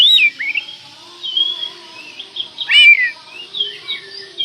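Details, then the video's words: Oriental magpie-robin in full song as a lure to rile another: soft, wandering whistles, short slurred notes and one loud harsh, descending buzzy call mid-phrase. "pancingan burung Kacer gacor ini bisa mendobrak emosi Kacer anda"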